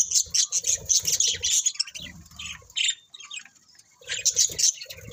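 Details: Budgerigars squawk and chirp in loud, rapid, rasping bursts, go quieter in the middle, then resume with another bright burst of chatter.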